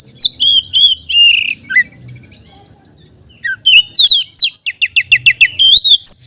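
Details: Oriental magpie-robin song for luring other magpie-robins: harsh rasping and whistled notes, a pause of nearly two seconds, then rapid repeated chips, about three per second, and rising whistles.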